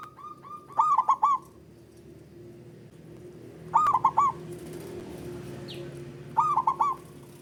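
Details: Calling male zebra dove, played to boost mating drive in a dove reluctant to call: three phrases of four clipped, rolling coos, repeated about every two and a half seconds against a low hum.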